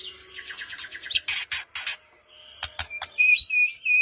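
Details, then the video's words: White-rumped shama lure song for a quiet bird, morning or afternoon: soft fast chattering notes, loud harsh rasping bursts, then a few clear, high whistled notes. "Murai Batu Diam Dengar Kicauan ini Seketika Langsung Nyaut GACOR"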